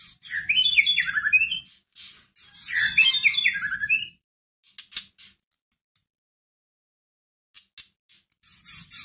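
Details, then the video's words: White-rumped shama song used as a lure to raise a caged shama's fighting mood so it sings back. Two loud bursts of fast, varied whistled phrases with sweeping slurred notes, then scattered sharp clicks and brief high chips. "Pancingan masteran pendongkrak emosi murai batu loyo langsung nyahut Gacor"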